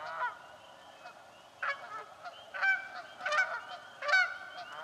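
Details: In a swamp, Canada geese quarrel over nesting spots: one honk at the start, then a run of loud, strident honks in clusters about every second, over softer background calls.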